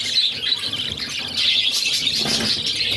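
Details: Budgerigar chicks, six in a pet brood, begging while their mother feeds them; dense, continuous high raspy chatter with brief squeaky chirps running throughout.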